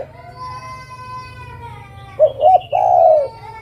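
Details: A steady harmonic tone plays in the background, then a female zebra dove calling to a male gives two quick coos and one long, smooth coo.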